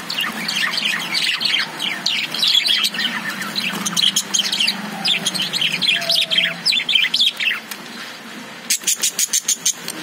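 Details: Caged lovebirds chirping busily: dense, rapid high twittering notes overlap almost continuously, with a low steady hum underneath and a burst of sharp clicking chirps near the end.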